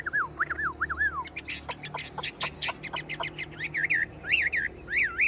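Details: Chinese hwamei singing in a cage that is shaken: wavering whistled notes, a stretch of quick staccato chips, then bright repeated whistles that rise and fall.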